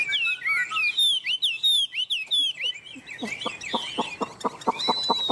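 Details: Tame Chinese hwamei singing vigorously in 'ôm cóng' posture on a hand: looping high whistled notes for three seconds, then a rhythmic run of short sharp notes about four per second beneath a thin high whistle.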